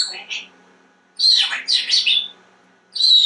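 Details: Talkative pet African grey parrot, a male kept at home, chattering about foods: high, squeaky speech-like syllables in quick bursts, a pause, then another shrill phrase.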